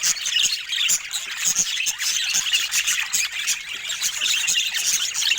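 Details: Pet budgerigars in a group making soft joyful sounds, an unbroken high twittering of overlapping chirps, warbles and squawks with frequent sharp ticks, steady in loudness throughout.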